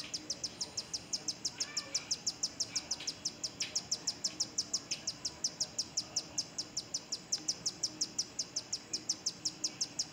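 Rufous-tailed hummingbird giving a steady series of thin, very high ticking chips, about four each second, with faint softer chirps from other birds behind.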